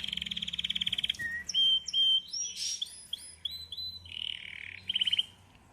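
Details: A red Belgian canary delivers a varied song: a rapid rattling trill, then a string of short whistles and slurred notes at changing pitches, ending in a quick pulsed trill.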